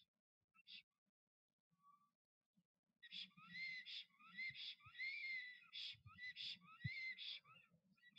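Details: Black stork male showing off its nest to attract a female, Notecka Forest, 12 April 2023; after a few scattered faint sounds, a burst of harsh, wheezy rising-and-falling whistles runs rapidly for five seconds, with low rustling noises.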